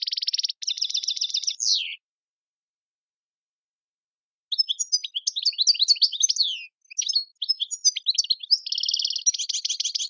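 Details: Tiwawati-style goldfinch song, its named motifs mondolin, servati, saw saw, sepla sepla and djiw: buzzy nasal trills ending in a downward slur, a long silence, then rapid liquid twittering closing in rasping rattles.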